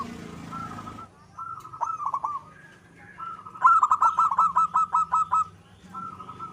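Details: Local zebra dove singing stuttered coo phrases building to a long rhythmic run of about ten pulsing notes, with a low rumble and noise at the start.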